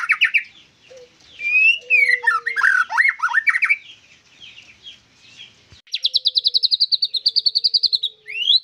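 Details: White-rumped shama singing energetically: varied whistled phrases with quick rising and falling slurs, a pause, then a fast even trill of about sixteen sharp repeated notes, ending on a rising whistle; a faint steady low tone underneath.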